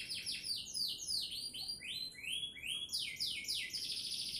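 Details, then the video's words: Canary song recorded in Sidoarjo, Indonesia; quick series of swooping chirps and dense high trills, notes sliding downward and upward in rapid repeated bursts. "Kicauan Burung Kenari"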